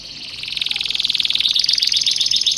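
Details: Canary song in the cengkok mewah style, used as a master recording to teach other canaries: a fast, continuous high trill of rapidly repeated notes, rising in pitch midway and staying bright and rolling throughout.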